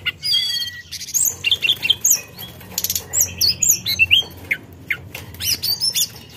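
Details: Rapid high chips and slurred whistles from a forktail provoking rivals, delivered in short uneven bursts with brief gaps throughout.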